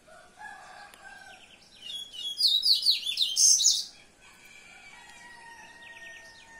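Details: Yellow-bellied seedeater giving a quick, bright jumble of high, buzzy, sliding chirps in one loud two-second burst. Softer thin whistles and short trills sound before and after.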